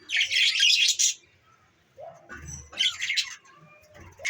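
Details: Pet budgerigars, December 14, 2023, with a loud rasping warble for about a second, a quiet pause, then another burst of buzzy, chattering notes and soft low thumps.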